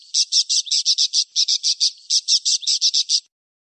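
Parakeet chatter: a fast run of sharp, high, buzzy chirps, about six per second, with a short break in the middle.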